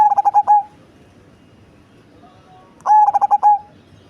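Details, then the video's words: Two phrases of song from a large cemani zebra dove with a deep voice: rapid pulsed coos slurring into a longer final note, separated by a quiet gap of about two seconds. "Perkutut Cemani Body Besar Suara Besar dan Ngebas"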